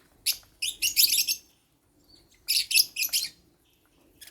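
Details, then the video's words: African lovebirds chirping at meal time while eating holy basil: harsh, shrill chirps in rapid runs, two bursts of several notes about two seconds apart with quiet between. "African Love birds | Eating Holy basil | chirping sound"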